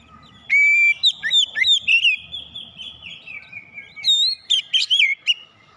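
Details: Kacer (Oriental magpie-robin) song meant to draw out fighter character in untrained birds: a long held whistle, then a varied stream of chirps and slurred whistles, and a final burst of bright looping notes.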